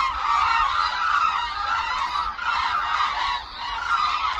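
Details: A flock of hooded cranes in the air over Suncheon Bay Wetland, South Korea, in winter. A short burst of dense, ringing honks from many cranes calling together, fading slightly near the end.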